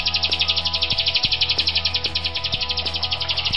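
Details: Rio-rio or grosbeak starling, a Sulawesi endemic kept as a singing tutor for other songbirds: a fast, even, buzzy trill of rapid pulses runs throughout, with instrumental music playing underneath.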